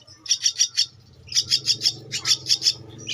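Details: Javan myna chick, two weeks old, begging during feeding: three runs of four or five sharp, high, scratchy chirps, evenly spaced about six per second, over a low steady hum.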